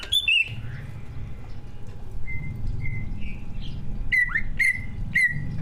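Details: Greater green leafbird, a competition bird with a full mimicry song, singing to prompt other birds; clear whistled notes, short slurred phrases and three sharp repeated calls near the end, low hum behind.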